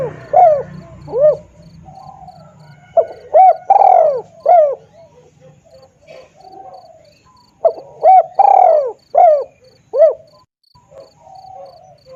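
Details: Spotted dove lure call used to attract birds for trapping: soft, mellow cooing phrases of three or four rounded notes, each phrase given twice with gaps between, over a faint high ticking and low hum at the start.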